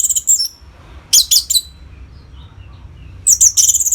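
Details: Orange-headed thrush song for stimulating caged birds; short, very high, thin squeaky bursts mimicking other birds, spaced by quiet pauses with low background hum.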